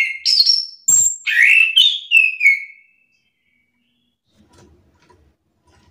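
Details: Orange-headed thrush provoked into answering back another singer: a rapid run of loud, varied whistled phrases, rising and falling with sharp chips, fading into a trailing whistle before silence.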